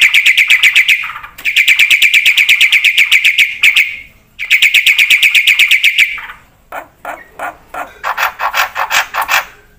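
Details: Energetic black-winged myna song for training and luring other birds: long very rapid ringing trills broken by short gaps, then a slower series of harsh scratchy chirps.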